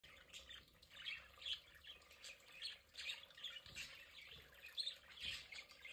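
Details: Several pet budgerigars enjoying their play area: busy, scratchy chirps and warbling squawks in quick irregular bursts, overlapping calls with no steady rhythm.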